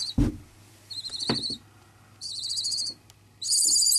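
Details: Two-week-old barn owl chicks in care, being fed whole mice, give harsh, rasping hisses about half a second long, repeated in a loose series, with a couple of dull thumps early on.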